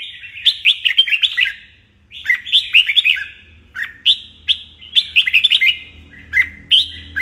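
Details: Morning training session for a caged red-whiskered bulbul, stimulated toward fighting-style song; lively chirpy whistled phrases rush up and down, about five separate bursts with quiet gaps between.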